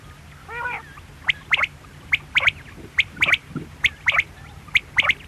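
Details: After a brief wavering mew, a quail repeats short, piercing notes in threes, one then a rapid pair, about every second.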